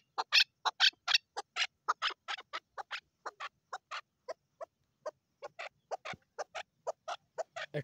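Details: Female Chukar partridge calling with a string of scratchy, uneven chuck notes, loud at first and then softer, repeated about twice a second.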